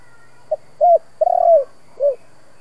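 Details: Spotted dove, 'kích bổi' cooing in Vietnamese local 'giọng thổ' style for rousing decoy birds. A quick short note leads into a smooth coo, a lengthy rattling-edged coo, and a soft descending final coo; background otherwise still.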